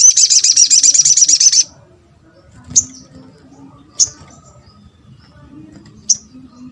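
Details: Sunbird (sogon or sogok ontong) calling to draw a response from other sunbirds: a fast, high, buzzy trill of repeated notes lasting about a second and a half, then three separate sharp high chips spaced over the following seconds.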